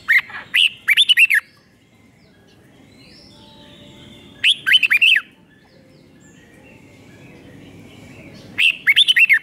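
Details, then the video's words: Red-whiskered bulbul song in a five-syllable doubled style meant for teaching young birds; three phrases of quick, lilting whistled notes about four seconds apart, quiet between. "เสียงนกกรงหัวจุกเบิ้ล2 เบิ้ล3 เพลง 5 พยางค์"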